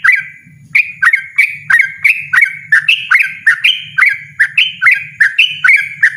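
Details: Yellow-vented bulbul, loud and persistent, delivering a rapid run of short, sharp notes, each a quick downward flick followed by a bright chirp, repeated about twice a second with a low hum underneath.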